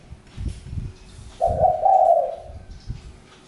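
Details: Single drawn-out, mellow coo of a spotted dove lasting about a second, with low thumps and handling noise around it.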